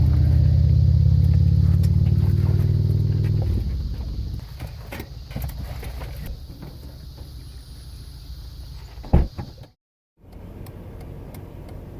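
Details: A vehicle engine idles and cuts out, followed by low rumble, a steady high whine, a few clunks and a brief dropout, with no animal calls.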